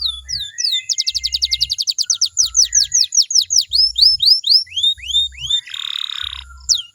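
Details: Canary song played to make other canaries sing along: a fast rattling trill easing into slower curved whistled notes, then a short harsh buzzy roll, over regular soft low thumps.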